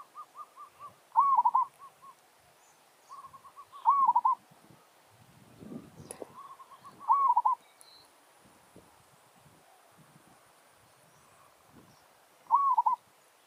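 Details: Decoy village zebra dove singing challenge song to attract wild birds. Four loud phrases, each an arched coo with rapid rolled notes, separated by runs of softer short coos; scattered clicks, rustling and a brief clatter around the middle.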